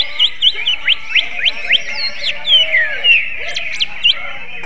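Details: Greater green leafbird singing in a style said to resemble the magpie-robin, described as an eccentric bird: quick sharp whistled notes, steeply rising and falling slurs, about four a second, over a steady high background hum.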